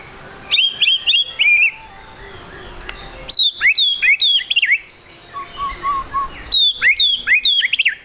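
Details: Lure song of a white-rumped shama meant to get the bird singing fast: three loud phrases of clear whistled notes, each dropping and sweeping, separated by pauses, with a soft low warbling passage between the second and third.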